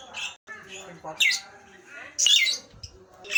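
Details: Nias hill myna with brief squawks broken by pauses, two especially loud, harsh bursts, and a soft low thud near the end.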